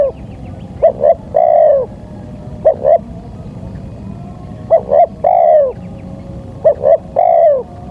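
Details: Spotted dove call played to lure wild doves, four phrases of two short coos and a longer descending coo, spaced about two seconds apart over soft low noise.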